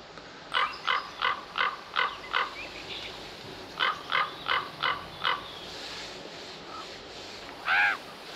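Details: Common Ravens at a photography hide: one bird calls another, giving two quick runs of short, hoarse croaks about three per second, then the second bird flies in and gives one longer, different call; soft background hiss.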